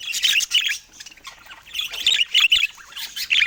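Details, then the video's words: Budgerigars kept as pets giving loud, bright high chirps in short groups of two or three, with pauses between the bursts of warbling chatter. "Budgies Spreading Love 💕🐤 Joyful Chirping Sounds"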